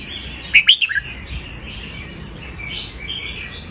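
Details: Red-whiskered bulbul song used to teach young birds and excite other birds: one short burst of quick, clear whistled notes around half a second in, then only faint background hiss.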